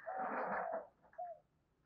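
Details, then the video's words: Spotted dove decoy call, a female's cooing used to lure and excite other doves: one low, hollow, breathy coo followed by a shorter second coo, then quiet. "Tiếng chim cu gáy mồi giọng lôi cuốn hấp dẫn đủ bài[ THÚC GÙ , GÁY GỌI ]"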